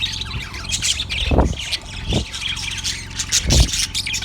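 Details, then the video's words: Yellow budgie chirping, February 18, 2024: squeaky, scratchy high chatter with a few louder low bumps and a background hum. "Yellow budgie chirping sound"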